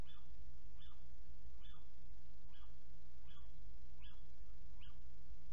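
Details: Little owl near a nest box on 29 January 2019, some six minutes after departing, giving a regular series of brief, sharp calls about every 0.8 seconds over a constant background hum and hiss.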